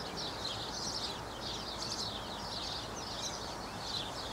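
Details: A male alpha Superb fairy-wren with a blue mask gives a steady stream of thin, high chirps and twittering notes over a constant hiss of wind or running water.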